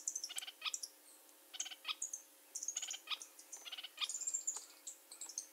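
Sharp-billed Treehunter giving short bursts of dry, rapid chattering notes about every second, mixed with thin, very high whistles.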